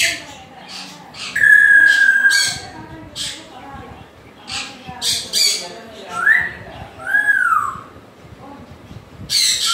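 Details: African grey parrot mixing a long, steady whistled note, rising and falling whistle slides and scattered rough squawks and clicks.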